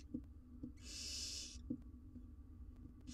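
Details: Wild barn owl nestlings, four in a nest box monitored for research in Israel, mother away: one loud hiss of nearly a second amid light knocking clicks, another hiss starting at the end.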